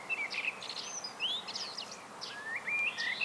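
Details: Common blackbird solo song with slurred fluty whistles and quick higher chirps packed into a short continuous phrase, background noise steady.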